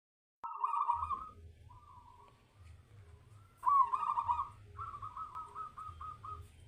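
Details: Zebra dove singing a trilled, bubbling coo, steady in pitch, in phrases of about a second each: a loud phrase, softer ones, then a strong burst breaking into quick stuttered notes, with a low rumble beneath.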